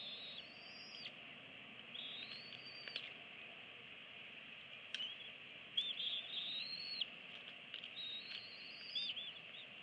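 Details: Eagles at a DC nest camera on 24 April 2017, both parents feeding two eaglets aged 25 and 26 days: thin, high whistled calls, slurred upward then falling, in about four bouts over ten seconds, above a steady broadband hiss.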